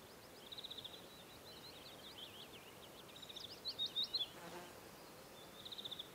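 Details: Willow warbler (Phylloscopus trochilus) singing in early summer (late June–early July) near Geilo and the Hallingskarvet range, Buskerud, Norway: thin, high, sweet notes in short falling runs, a few brighter notes mid-phrase, soft background hiss.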